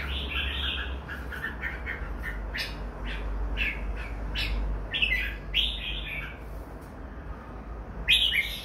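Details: Red-whiskered bulbuls, two together, uttering rapid gurgling warbles followed by a series of short chirped notes, then a louder burst near the end, over a low constant hum.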